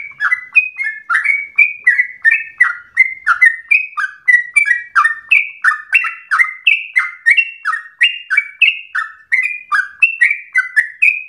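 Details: Yellow-vented bulbul (trucuk) in fast, insistent, agitated song, used to provoke other birds into singing and as a tutor recording: rapid run of short bubbly whistled notes, about three per second, alternating higher and lower pitches without pause.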